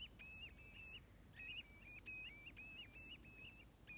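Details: A flock of 65 common ringed plovers at Stornäset, Alnö, on 7 October 2021 call together, overlapping soft, clear, short, slightly rising whistled notes in quick bursts over a low rumble of wind.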